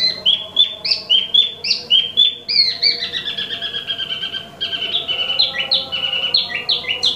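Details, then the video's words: Wambi Mini (Tieu Mi), imported, in steady song: repeated two-part whistled phrases that step up and down, delivered rapidly and evenly, with a faint low background drone. "Wambi Mini Asli Impor/Tieu Mi Gacor 12 Menit Non Stop"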